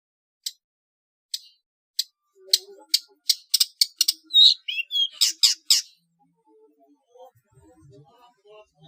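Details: {'caption': 'Long-tailed shrike in competition-training trotol style: isolated sharp ticks that speed into a tight cluster of loud, harsh high notes, then fade to faint scattered sounds.'}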